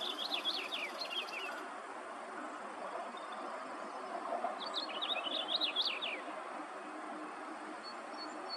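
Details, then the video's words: A Pileated Woodpecker in the Whitemud Valley, Edmonton, calls in the background near a Solitary Sandpiper, giving two quick bursts of loud, high notes about a second each over a steady rushing background. "You can hear a Pileated Woodpecker in the background."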